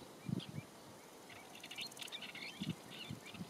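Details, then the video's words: Woodchat shrike singing near Olhão in southern Portugal in April 2021: short scratchy warbled phrases and thin slurred notes, with low thumping noise below. "Woodchat Shrike (Lanius senator) singing."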